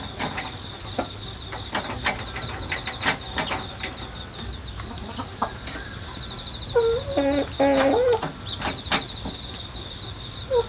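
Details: Rooster hatched indoors in an apartment and raised in the countryside, recorded 1 September 2019 with a GoPro and wireless microphone on a ladder; one drawn-out, stepped crow stands out midway over a steady buzz of chirping insects.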